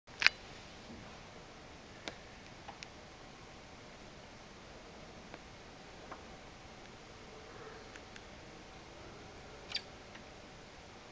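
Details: Eurasian blue tit knocks on window glass with its beak, possibly attacking its mirror image as an intruder: a few sharp, dry knocks spaced seconds apart over a quiet indoor hush.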